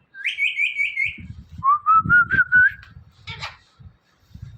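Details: Pet Indian ringneck parrot, a talking bird mimicking words, giving a warbling high whistle followed by a lower, gently rising trilled whistle and a brief harsh burst, with muffled low thumps and handling noise underneath.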